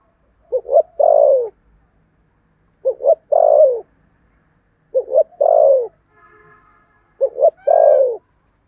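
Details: Spotted dove kept as a decoy, 'thổ' voice style, cooing to draw in other doves. Four evenly spaced phrases of two quick short notes and one long sliding coo, with a faint buzzy sound in one pause.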